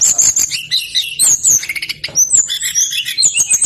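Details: Male brown-chested jungle flycatcher singing very persistently, a recording for luring lazy birds into song; a dense, nonstop stream of high, rapid twittering notes and slurred whistles with hardly a pause.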